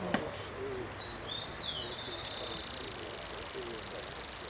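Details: Hooded siskin singing at a contest final in Merlo, Amarillo Completo class; high, thin twittering notes and quick sliding whistles with a short trill, over steady background hiss and faint crowd murmur.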